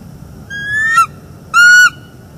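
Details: Bald eagle pair on a northeast Florida nest, morning of 29 September 2021, calling after a failed mating attempt; a softer rising note that swells and drops, then a loud, steady, ringing whistle.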